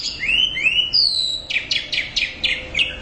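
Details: Loud orange-headed thrush song: two rising slurred whistles, a high clear note, then a buzzy, harsh note repeated about every third of a second.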